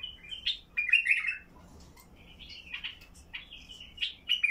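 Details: A Basra bulbul's deep-throated song for prompting silent bulbuls: a loud rich warble early, then a rambling chain of fluty whistled notes rising and falling.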